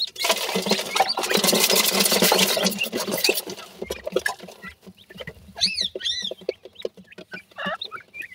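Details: Chicks of grey francolin (bhura teetar) behind a long opening stretch of loud rustling noise, then several clear rising-and-falling whistled peeps and short squeaks near the end, mixed with clicks.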